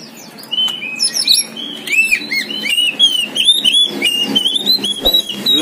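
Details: A caged poci-type Oriental magpie-robin sings energetically: a rapid stream of clear, varied whistles and sliding notes, some bright and high, delivered without pause.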